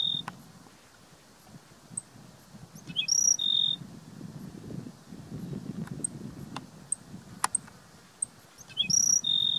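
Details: Singing Black-throated sparrow recorded 12 May 2016 at Gunlock Reservoir, Washington County, Utah: three phrases, each of thin high notes ending in a steady clear whistle or trill, separated by long pauses with faint ticks and low rumble.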